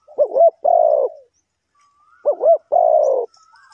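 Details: A spotted dove used to draw wild birds into a trap gives two cooing phrases. Each begins with a quick wavering double note and ends in a long, low, falling coo, with a pause between and faint thin whistles.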